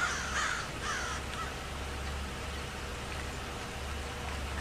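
A crow gives a few harsh, raspy caws in quick succession at the start, then goes quiet over a low, steady hum.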